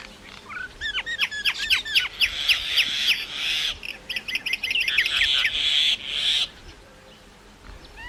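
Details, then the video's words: Myna delivering fast rising whistled notes in quick succession that merge into a loud harsh rasping chatter, then fall silent near the end. "maina sound Effects"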